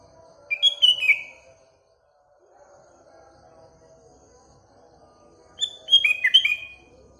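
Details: A sooty-headed bulbul sings in the morning with surrounding birds. Two lively phrases of chirpy, falling whistles are heard, one at the start and one near the end, over a faint, continuous murmuring background.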